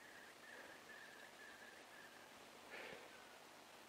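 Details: Distant Eurasian curlew heard from a garden gives a run of faint, evenly spaced whistled notes, then one louder, fuller note near the end, over a steady outdoor hiss.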